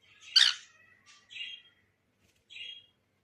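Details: Cockatiel giving one loud harsh squawk, then two shorter, softer raspy calls separated by pauses.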